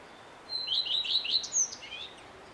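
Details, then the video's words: A male common redstart sings one short phrase: a clear high opening note, a quick warbling run, then a thin twittered ending; nothing else is heard. "Samczyk pleszki i jego piękny śpiew"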